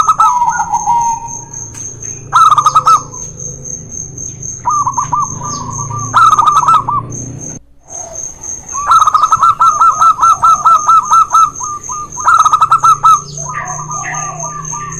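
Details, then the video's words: Local and white zebra doves dueling, used to coax reluctant doves into song: repeated rolling, burbling coos broken by loud clicky bursts, with a constant thin high whine behind. "PANCINGAN BURUNG PERKUTUT MALES BUNYI..DUEL MAUT LOKAL VS PERKUTUT PUTIH"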